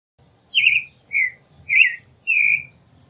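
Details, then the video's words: Creamy-bellied thrush singing four separate clear, whistled phrases, each a slightly warbled, descending slur, spaced about half a second apart with short silences between. "Zorzal Chalchalero Canto - Creamy-bellied Thrush Song"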